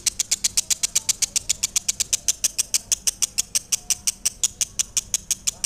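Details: Lovebird delivering a long, even series of loud, shrill chirps, roughly five each second, over a faint low background hum.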